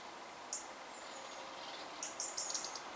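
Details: European robin parent breeding on a balcony, scolding after someone checked its nest of eggs and young. A few sharp, very high, clipped ticks come singly, then a quicker burst of three or four near the end, against a steady background hiss.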